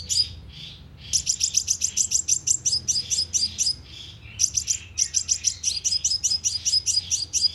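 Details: Sunbird lure recording used with a speaker trap to provoke birds: fast, continuous strings of sharp, high tweets, broken once by a short gap, over a steady low hum.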